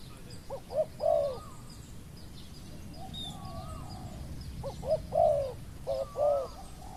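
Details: Spotted dove cooing during decoy luring of a wild dove. Two mellow phrases of short coos end in a longer falling note, separated by a quiet gap. A thin rising-and-falling whistle from another bird is heard between them.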